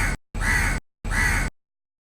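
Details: A crow calling from a tree gives three loud, harsh, hoarse caws, each about half a second long, with short silent gaps between them.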